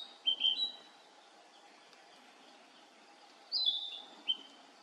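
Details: A male Narcissus flycatcher gives two short bursts of clear, high whistled phrases about three seconds apart, with a steady faint hum behind.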